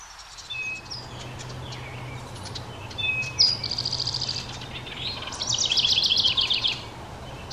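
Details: House wrens around a nest box as the last two of five nestlings fledge to a nearby hemlock. Scattered thin chips, then two bursts of fast buzzy trilling, the second louder and longer, over a low hum.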